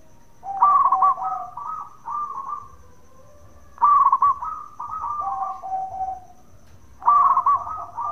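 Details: Bekur call from a local zebra dove, meant to draw answers from other doves: three evenly spaced phrases of fast bubbling notes sliding into gentle sustained coos, roughly every three seconds.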